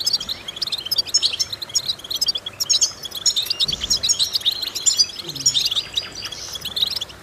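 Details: European goldfinch singing a vocal training exercise: scattered high twitters and liquid trills over a hissy, noisy background, the phrases loose and jumbled.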